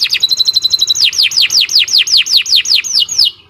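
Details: Caged Nusantara canary singing a long, intensely loud song for training other birds: a fast buzzy trill, then a run of about a dozen bright down-slurred whistles repeated quickly and evenly.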